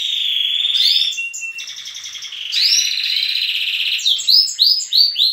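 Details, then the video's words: Morning chorus of captive canaries, chicks with adults, in a breeding room: steady rolled trills overlapping, ending in a run of quick upswept chirps repeated several times per second. "Baderna bagunça de canto estimular filhotes"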